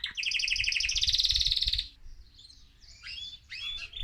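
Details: Excited male mosaic canary singing to stimulate other birds: a fast pulsing trill for nearly two seconds, then quieter scattered chirps and slurred notes, with faint low knocks behind.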